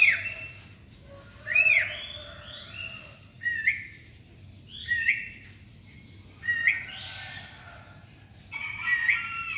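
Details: Sooty-headed bulbul singing in the morning, described as melodious and in full voice: six short, liquid whistled phrases with rising and falling notes, one roughly every one and a half to two seconds, over a low steady background hum.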